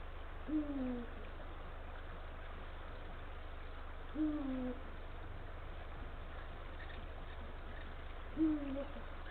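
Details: Male Eurasian eagle-owl at the nesting area on 17 February 2023, late afternoon, calling to his mate: three deep, short downslurred hoots about four seconds apart over a steady low hum.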